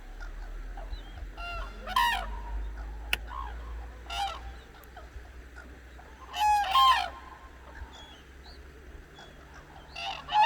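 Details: At dawn on the Hantan River in Cheorwon, Korea, newly woken cranes give scattered ringing, trumpeting calls, several bursts spread irregularly across the stretch, over steady low background hum and a sharp click.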